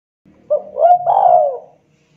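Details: Spotted dove (tekukur) used as a lure for other doves: one hoarse phrase, a short note rising into a long rolling coo that falls away, with a faint low hum beneath.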